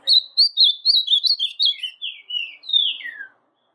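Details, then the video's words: Ultramarine grosbeak (azulão), a brown-plumaged kept male singing to stir a quiet azulão into song; one rich warbled phrase of quick sweet notes, slurring downward to a falling whistle, with no other sounds. "AZULÃO PARDO - 1 Hora de Canto Para Levantar Azulão"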